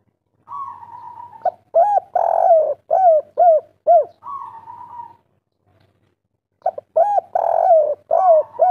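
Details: Spotted dove, called derkuku or tekukur, a local bird in lively 'kuk 3' song. Quick runs of arched, mellow coos alternate with long flat drawled notes. A silent pause comes mid-way before the coos resume.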